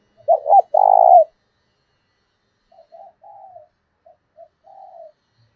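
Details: Decoy spotted dove cooing in the 'thổ đồng' voice to provoke fighting. It opens with a strong double note and a long, trembling coo. After a gap come several soft, broken coo phrases.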